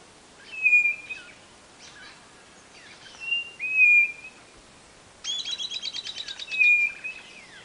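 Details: White-bellied Nothura of the Brazilian northeast repeating brief, piercing whistles, three in the clip. A rapid buzzy trill from another bird cuts in near the end.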